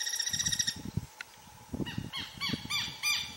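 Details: Guira Cuckoo giving a fast run of nasal, buzzy pulsed notes, then a set of short downslurred notes in quick succession, with rustling and low thumps underneath.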